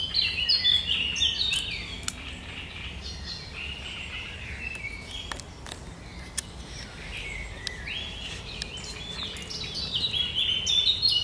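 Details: Great reed warbler singing on 1 July 2020, a sharp, chattering song of grating notes and churring phrases repeated in quick succession, with clicks and constant low outdoor noise underneath.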